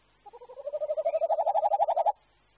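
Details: Male tawny owl in courtship, sitting at a tree-hole nest entrance to entice his mate to inspect it for next year's eggs. He gives a soft throaty trill of rapid pulses that swells in loudness over about two seconds.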